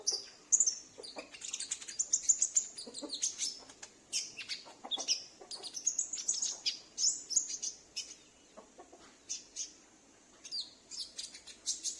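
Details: Sunbird kept at home that always responds when another calls, used to lure wild or loose sunbirds; long stretches of dense high twittering and chips, broken by a brief lull near the end.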